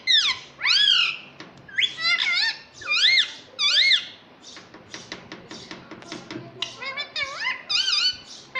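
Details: Pet rose-ringed parakeet indoors in a small room, said to talk, giving a run of loud harmonic screeches that rise then fall, several in quick succession, followed by shorter chattering notes.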